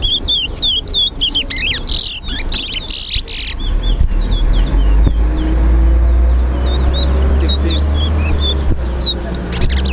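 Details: A chestnut-bellied seed-finch (towa towa) sings in a bird whistling competition in Guyana, fast, high, sweet whistled phrases in quick bursts with a short break, while someone counts aloud over low rumbling noise.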